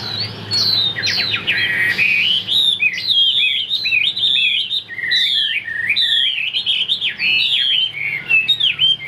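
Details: Caged Chinese hwamei, praised for powerful high singing, running through a long stream of rapid, curling whistled phrases, nearly nonstop for nine seconds.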